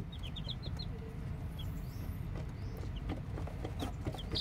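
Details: Just-hatched chicks: a quick run of bright, descending peeps at the start, then only sparse faint cheeps against a steady low-pitched background drone.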